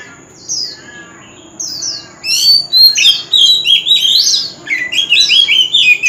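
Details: White-rumped shama in a singing contest, singing nonstop: soft high slurs build into a loud fast medley of varied whistles, trills and sharp notes.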